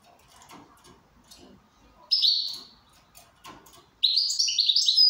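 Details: Goldfinch in good condition gives a short bright chirp, then after a gap of ticking and tapping noises, bursts into a fast, jingling run of high twittering notes.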